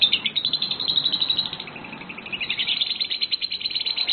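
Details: A pair of lovebirds in a singing contest test: fast, harsh, chattering chirps repeated in continuous rhythmic bursts.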